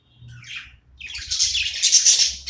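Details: Budgerigar at play: a soft short chirp, then a loud continuous stretch of harsh, buzzy warbling chatter building toward the end, in a quiet indoor setting.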